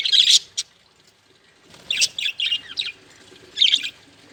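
Budgerigar giving bright, scratchy chirps in short bursts with brief pauses between.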